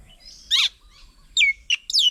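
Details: Oriental magpie-robin at a fruit-stocked bird table in Nong Kwai, Hang Dong, south of Chiang Mai, Thailand, on 8 June 2022, adults busy feeding their young; loud sharp chirps, one harsh burst then three quick descending whistled notes over a quiet background.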